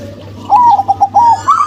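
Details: Local female and crossbred male zebra doves. After a quiet start comes a brief burst of soft, rolling coos: a few clipped notes, then a slightly higher drawn-out phrase, with a low background hum.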